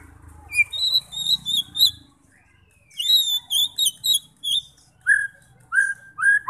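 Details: White-rumped shama song for provoking fighter shamas into singing: high thin phrases over a low rumble, a pause, a rapid string of high chattering whistles, then three spaced lower rising whistles.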